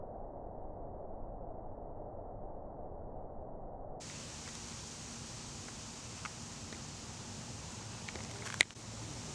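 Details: Soft rustling outdoor noise with a few faint clicks and no animal voice.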